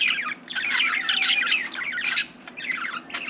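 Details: Pet budgerigar chattering as if trying to talk, pouring out a loud, continuous warble of rapid squeaky chirps and buzzy notes.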